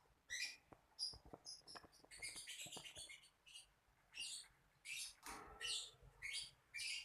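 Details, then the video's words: Lovebird chirps, high and scratchy, come amid light tapping and pattering, then settle into evenly spaced loud chirps. "Burung Paling Berani | Lovebird"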